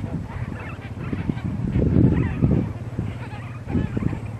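Flamingos giving low, goose-like honking and grunting calls from several birds at once, in irregular bursts that swell around the middle.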